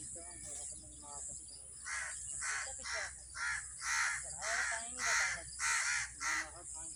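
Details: Several angry crows around a tree cawing non-stop, calling to other crows: a run of harsh, raspy caws, roughly two a second, growing louder and more insistent; low human voices murmur at the start.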